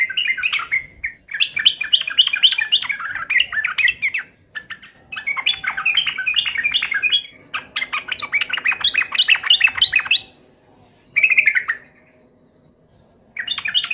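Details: Yellow-vented bulbul in full voice, taunting a rival so it calls back; long stretches of fast, bubbling, jumbled warbling broken by short gaps, with a faint low hum beneath.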